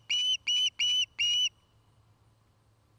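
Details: Osprey at a nest near Charlo, Montana, one of a nest-building pair: four short, loud whistled notes in a quick series, each with a slightly rising pitch, then near silence.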